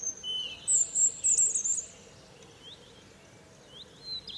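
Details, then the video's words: European robin's morning song from a fir tree: a bright, very high, rippling trill of rapid notes, then near silence broken by a faint thin whistle. "Niesamowity śpiew rudzika."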